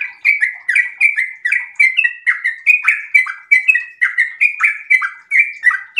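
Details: Sooty-headed bulbul, in breeding condition, delivering a fast, continuous ropel song of chirped, falling-then-rising phrases, evenly spaced and loud throughout.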